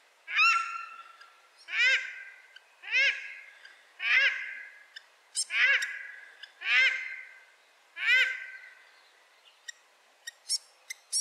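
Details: Female paradise shelduck in late autumn in the Maungakotukutuku Valley, New Zealand, gives loud, harsh, nasal honks repeated about every 1.2 seconds, eight in a row; faint high chips from a fantail follow at the end.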